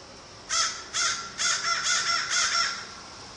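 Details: American crow giving a series of six hoarse caws after half a second of quiet, the first three spaced apart and the last three quicker and run together.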